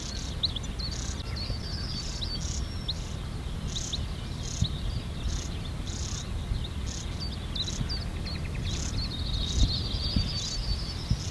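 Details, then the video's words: Begging European stonechat fledglings receive food at NSG Ahsewiesen, 30 May 2019, 08:35, Panasonic Lumix GH5 camera; a run of brief high squeaky notes and rapid trills, closely spaced, over continuous low background noise. "European Stonechats (Saxicola rubicola) being fed"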